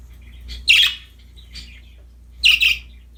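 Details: Budgies in a happy mood with a new toy, two loud, harsh chirp bursts about two seconds apart with a faint note between.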